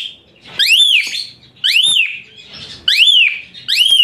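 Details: Shrill, piercing Asian pied starling song for teaching other birds: four loud arched whistles, each sweeping up then down with a harsh rasp, about one per second, separated by quieter gaps.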